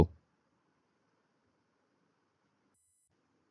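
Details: A single soft knock at the start, then near silence with faint low hum and a brief high electronic tone.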